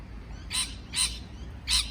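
A parrot gives three short, harsh, raspy chirps, irregularly spaced over two seconds, over a low steady hum.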